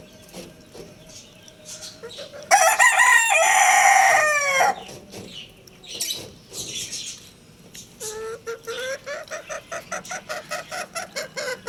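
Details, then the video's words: Lohmann Brown rooster crowing: a single loud, harsh, drawn-out crow lasting about two seconds, then quieter rising high peeps repeated three to four times a second until the end. "Adorable Roosters Crowing Compilation | Roosters Crowing Sound Effect"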